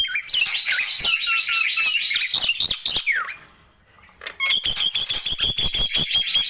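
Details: Nias hill myna in morning song: loud warbled whistles and squawks, a falling whistle, a near-silent pause, then rapid repeated clicks with a steady high whistled tone.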